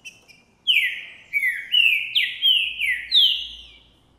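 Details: Trinca Ferro Boi green-winged saltator singing strongly in January 2024, stirred by a female seen and heard at a distance; a full phrase of six loud, rich whistles, each sliding downward, delivered in quick succession after faint soft notes.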